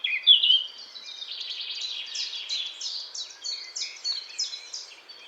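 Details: Eurasian blackcap singing a fast, scratchy, chattering warble of varied high notes, with a sharp bright note at the start and rich twittering phrases that swell and fade.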